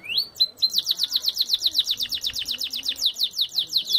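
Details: A Belgian canary opens with a rising whistle, then delivers a fast, even trill of high downward-sweeping notes, about three per second, held steadily throughout.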